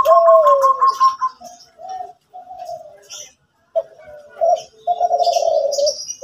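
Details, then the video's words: Zebra dove of the Kelantan song style singing energetically in the morning: a falling whistled note, then a series of rolling, trilled coos around mid pitch broken by short pauses, with faint high chirps from other birds. "Derkuku Kelantan Gacorrr pagi hari"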